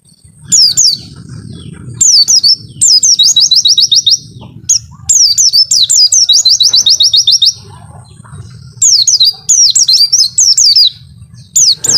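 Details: Pleci (white-eye) in long wit-wit song: bursts of high, thin descending whistles running into rapid, evenly spaced trilled series, phrases repeating every couple of seconds with short pauses, over a faint low hum.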